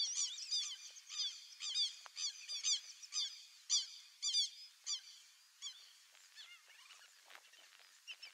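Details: White-faced whistling ducks, wild, calling in a flock: repeated high, thin, multi-note whistles, clear and rapid in the first half, then fading into scattered distant whistles.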